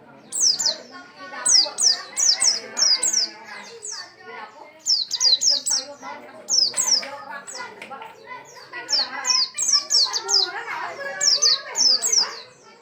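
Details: Oriental white-eye singing persistently: repeated short bursts of sharp, high, downward-slurred twittering notes, coming in clusters with brief pauses, over a steady background of voices and murmuring.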